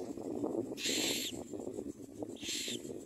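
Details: Common myna nest where adults push small food items into the chicks' mouths: two harsh, hissing bursts, each about half a second, separated by a pause, over a steady low background rumble.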